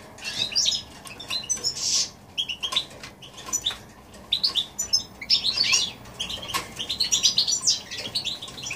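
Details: Hybrid of goldfinch and canary in January 2016, singing a rapid, tinkling warble of high chirps and trills in uneven bursts, growing busier and more continuous toward the end.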